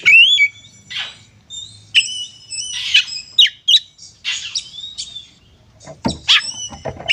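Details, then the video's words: Oriental magpie-robin fighting song meant to provoke rival birds, given as clear whistled phrases with rising slurs and sharp harsh notes, separated by short pauses, then a thudding knock near the end. "suara burung kacer gacor narung ini AMPUH buat pancingan kacer agar bunyi AUTO emosi"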